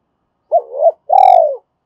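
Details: Spotted dove decoy in double-voiced calling to entice other doves: a soft two-humped coo, then a loud, long, purring coo that slowly falls in pitch.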